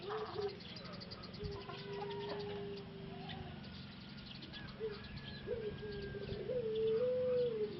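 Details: Male Pelung dove, caged breeding bird from Solo, Indonesia, kept apart for treatment after losing its voice following six months in a breeding pen; long steady drawn-out coos, the last one rising slightly, with clucks and cage rustling around them.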